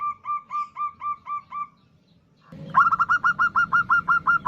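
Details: Female zebra dove of a local strain calling to attract a male, played as a lure; softer cooing notes repeat steadily, fade out, then a louder, faster run of crisp coos follows over low background rumble.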